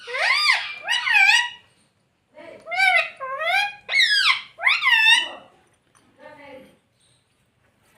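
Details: Pet ringneck parrot talking, mimicking the words "Mummy Papa": bursts of squeaky, voice-like syllables with sweeping up-and-down inflections, in two phrases separated by a short pause, then a softer, lower closing phrase.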